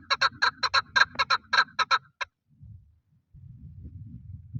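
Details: Male chukar partridge used for hunting utters about a dozen gravelly chuk notes in quick succession over two seconds, then falls silent while low rumbling background noise continues.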